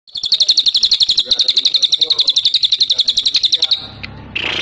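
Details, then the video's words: Cililin singing lively in the rapid 'tembakan' style: a dense, fast chatter of sharp high notes, roughly four per second, held for nearly four seconds before stopping, followed by a brief softer rustling sound. "Cililin Gacor Tembakan Rapat"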